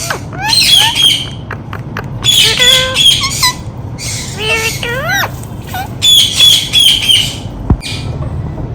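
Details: Talking Indian ringneck parakeet: rapid shrill squawks and wavering speech-like phrases come in three loud bursts, with a sharp knock near the end. A person then coaxes the bird with repeated "come on".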